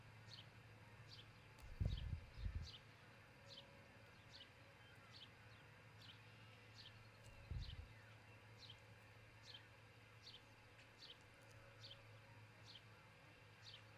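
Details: Nest camera at an osprey pair's nest in Charlo, Montana, early morning of 22 June 2018: faint, high, falling chirps repeated regularly, roughly every 0.7 seconds, with low thumps near two and seven and a half seconds and background hum.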